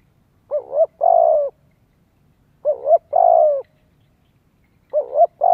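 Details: Spotted dove calling to lure wild doves and train young birds; low coo phrases, each a dipping double note then a long falling coo, repeated about every two seconds.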